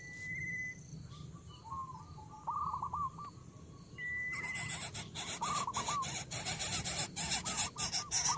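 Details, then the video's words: Noisy coucal young in the nest with a parent delivering food; wavering note runs first alone, then amid loud repeated scraping and rustling sounds from nest activity. "INDUK BURUNG BUTBUT MEMBUNGKAM ANAKNYA YANG BERISIK"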